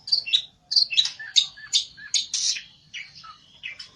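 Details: An olive-backed tailorbird seeking a rival sings a jumbled string of high whistled and chipped notes, jumping between pitches about every half second, fading toward the end.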